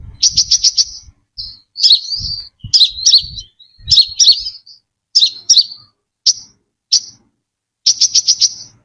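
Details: Brown-throated sunbird singing in a clean lure recording: rapid bursts of high chirps alternating with twisting, downslurred warbled phrases, with notes and phrases separated by short silences.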